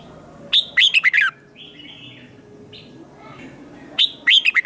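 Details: Red-whiskered bulbul in competitive song: two brief phrases of fast, descending, slurred whistled notes, separated by softer calls and quiet background.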